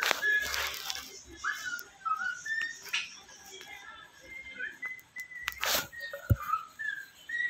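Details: Pet Indian ringneck parrot, said to say words such as Kiwi and I love you, producing a string of short whistled tonal notes and squeaky phrases that rise and fall, broken by a few harsh bursts.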